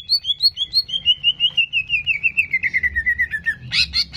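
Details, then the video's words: Greater green leafbird song played to stir a contest bird's aggression: a fast chain of whistled notes, about three per second, slowly falling in pitch, ending in a burst of harsh chatter. "PANCINGAN CEPAT MENAIKAN EMOSI CUCAK IJO"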